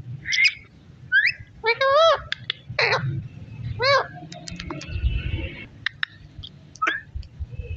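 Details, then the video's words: Pet parrot eating melon seeds, giving a string of varied chattering notes: wavering harmonic squeaks, short rising whistles and sharp clicks, spaced irregularly, over low background rumble. "natural talking sound voice"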